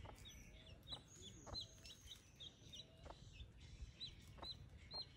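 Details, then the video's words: Baby chicks beside their broody mother hen give a steady stream of shrill descending peeps, several overlapping, with soft scratching and rustling beneath. "Sonido de pollitos. Baby chick sounds"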